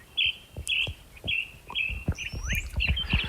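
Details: A Northern Mockingbird sings at dawn, before sunrise, at Fish Springs National Wildlife Refuge, Utah: a run of short, chirpy, varied phrases at about one per second, over low thumping and rumbling noise.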